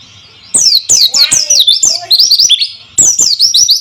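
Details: White-eye song used as a lure to get silent birds singing: loud bursts of quick, high, chirping and twittering notes with sharp downslurs, in two phrases split by a short gap.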